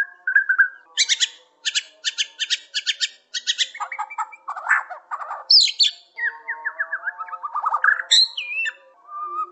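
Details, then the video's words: White-rumped shama, Aceh, Bahorok, Borneo, Medan and Nias black-tailed forms, singing a busy song of rapid repeated clicking notes, harsh squawky bursts and descending runs of quick whistled notes. "Suara Burung Murai Batu ACEH, Murai Batu Bahorok Murai Batu Borneo, Murai Batu Medan Nias Ekor Hitam"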